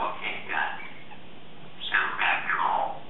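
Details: Morning chatter from a 3.5-year-old female talking Congo African grey practising words indoors: raspy, voice-like syllables in two bursts, rising and falling like muffled human speech.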